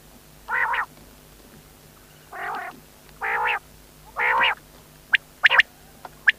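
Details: Quail uttering four coarse buzzy notes at uneven intervals, then a quick cluster of short, sharp whistled pips toward the end; low mechanical hum persists throughout.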